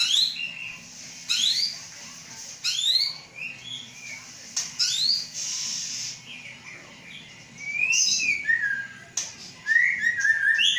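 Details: Caged White-rumped shama, Aceh stock, hatched 23 August 2012, being readied for breeding. Sharp upswept notes repeat at intervals, with a buzzy rasp midway and a descending slurred whistle series toward the end.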